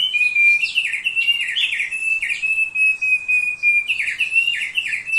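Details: Thick-billed heleia singing, presented as a training master: a continuous chatter of downslurred notes around 2–4k interwoven with long steady whistles near 2.5k, delivered in rapid bursts with brief pauses.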